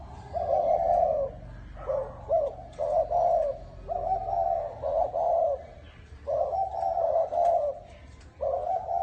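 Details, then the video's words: Spotted dove, 'bronze bell' type, cooing to call wild doves and stir up both sexes: a long series of low, hollow coo phrases with short gaps and stuttering doubled notes, over steady low background noise. "Tiếng chim cu gáy chuông đồng gáy gù gọi bổi kích bổi kích trống mái lên nhanh"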